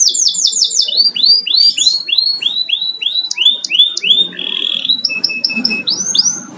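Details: Canary kept at home, not for contests, singing dense repeated arching high notes, then a sustained buzzy roll and a further set of spaced bright sweeping syllables.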